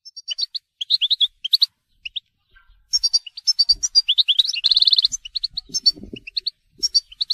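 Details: European goldfinch singing in the telqam style: fast, high, tinkling twitters and liquid chirps in short bursts, with a brief dry buzzy trill in the middle and occasional faint low knocks.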